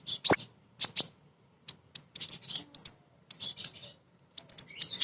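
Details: Calling female crimson sunbird, recommended to spur birds to sing: an opening loud click and slurred whistle, then widely spaced bright, high chips in short clusters.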